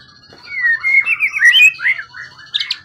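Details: Long-kept, wild-origin contest bird with a 20 cm-plus tail delivers one brief warbled phrase of sliding, looping whistles ending in a few high sharp notes.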